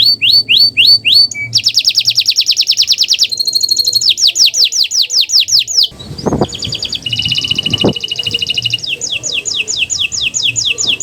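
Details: Canary master song aimed at getting silent canaries singing: varied tours of rising whistled notes, rapid trills and falling sweeps, interrupted by a few clicks and knocks.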